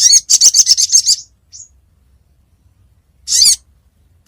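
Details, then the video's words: Sogon lure call meant to draw birds down for trapping: rapid burst of about seven harsh, high chirps, then a short faint note, a long silence and a single raspy screech. "SUARA PIKAT BURUNG SOGON GACOR‼️DIJAMIN LANGSUNG TURUN"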